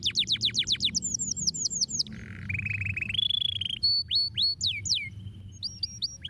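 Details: Canary song meant to stimulate singing: rapid trills of falling notes, then a low buzzy rattle, a long steady whistle, and looping downward-sweeping syllables with short pauses, over a faint low hum.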